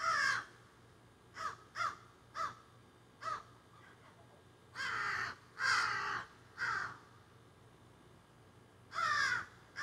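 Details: Crows calling noisily from trees behind someone working with plants outside, captured on a cell phone: a busy mix of about a dozen rough caws, short clipped ones alternating with longer, fuller squawks.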